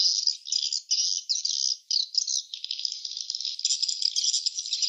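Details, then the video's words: Swiftlets calling at the nest: long buzzy, rasping bursts separated by brief gaps give way to a steadier, fine-grained clicking chatter that rises slightly in pitch toward the end. "suara sarang burung walet ( swiftlet sound )"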